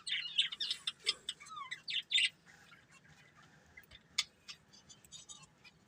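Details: Breeding pair of budgerigars chirping: a burst of rapid, high, scratchy chirps and warbles in the first two seconds, then quieter scattered twitters, with one sharp chirp near the fourth second over a low background hum.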